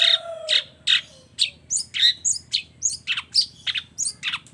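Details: Long-tailed shrike singing a combined song with fill-in phrases copied from other birds: a low whistle and rough notes, then a quick, jumbled series of sharp squeaks, chips and slurred high whistles.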